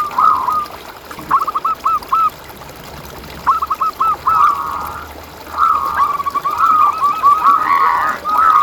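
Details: Zebra dove master recording meant to excite rival doves and lure them: several phrases of quick, repeated soft coos, two short runs first, then a longer, denser sequence near the end.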